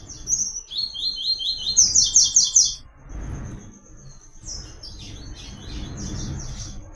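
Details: Double-collared seedeater in the Caatinga giving the "Tui Tui" song, a clean, cadenced pattern prized for training. It sings quick series of high, sharply sloped notes repeated about two per second, then a pause and softer notes, over a faint constant high tone.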